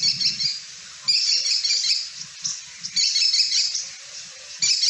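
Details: American Kestrel in the Boise, Idaho area giving its very loud, agitated, far-carrying call: shrill, rapid bursts of high notes, each about a second long and repeated every second or two, with faint low murmuring beneath.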